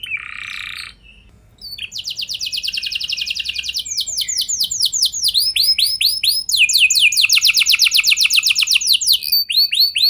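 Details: Canary singing to make other canaries answer, opening with a brief buzzy note and pause, then extended fast trills and sweeping whistled phrases that grow louder toward the end.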